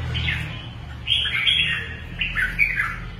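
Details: Red-whiskered bulbul, a caged singing-contest bird, giving loud squawky warbled phrases that slur up and down in three clusters, over a steady low hum.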